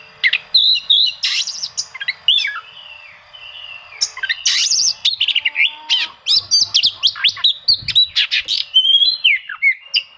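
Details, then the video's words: Rival-seeking Oriental magpie-robin song, meant to stir quiet magpie-robins into singing: high sweeping whistles and harsh scratchy bursts, a drawn-out lower whistle, then a dense run of clipped chirps and slurs. "suara kacer mencari musuh, cocok untuk memancing kacer susah bunyi"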